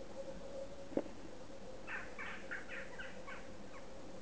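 A Western Jackdaw gives a quick run of about seven short, faint, clipped calls over two seconds, after a single sharp knock and over a steady low hum.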